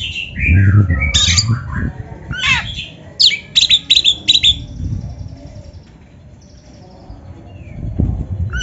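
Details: Oriental magpie-robin training song: slurred whistles and harsh bursts, then a rapid series of short scratchy notes, followed by a quieter stretch with faint high whistles and low background rumble.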